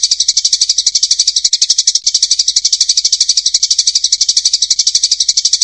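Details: Eurasian tree sparrow in a fighting bout, with a clear voice: a dense, buzzy, high chatter pulsing about four times a second, steady and unbroken for nearly six seconds, with one brief dip near the two-second mark.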